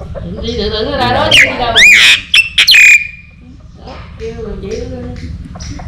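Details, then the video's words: Myna kept with a rooster it likes to play with, singing: rising and falling harmonic warbles, then two sharp, loud screeching squawks and a clear whistle sliding down, followed by softer chattering notes over a steady low hum. "Cưỡng hót"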